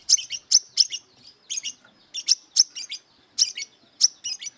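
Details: Fighting-mode song of a brown-throated sunbird seeking an opponent: clusters of bright, very high, sharp chirps in quick groups of two to four, with brief gaps between clusters.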